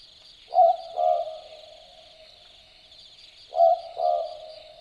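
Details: Two paired 'boo-book' calls from an Australian Boobook in Dharug forest at night, each pair of low hoots repeated about three seconds later, with a continuous high cricket drone behind.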